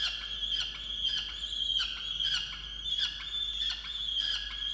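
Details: Angry peregrine falcon at a water-tower nest box in Orange, New South Wales, Australia, November 2022, complaining about its mate skipping breakfast: a long level whining wail overlaid with rapid, irregular clicks roughly every half second.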